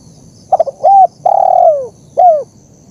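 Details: Spotted dove master recording for training and luring: a single phrase of quick stuttering notes, a rounded coo, then a long drawn coo that drops in pitch and one short final coo.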